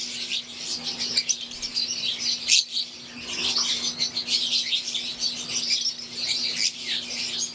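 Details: Fischer's lovebirds in an aviary, wild-type green alongside Euwing birds: busy, shrill chirping from many birds at once, sharp squeaks poking above the constant chatter, with a soft background hum.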